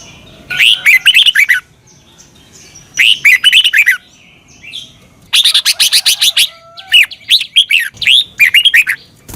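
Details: Red-whiskered bulbul from Thailand singing for caged-bird training; repeated lively warbled phrases of quick whistled notes, becoming longer and more continuous in the second half.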